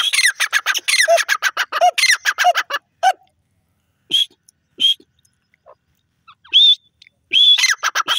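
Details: Grey francolin giving fast, harsh, pulsed calls for about three seconds, followed by a quieter spell with separate clear whistled notes, then a return of loud grating calls.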